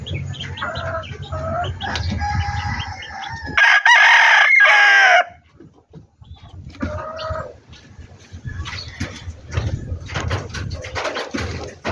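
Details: Backyard chicken crowing once: a loud, raspy, sustained crow of nearly two seconds, preceded by rhythmic clucking calls and followed by quiet spells, scattered clucks and clicking noises.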